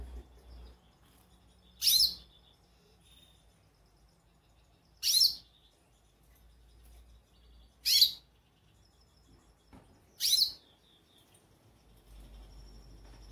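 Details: Goldfinch calling repeatedly: four loud, short, high-pitched chirps spaced roughly every two to three seconds, over quiet low background hum.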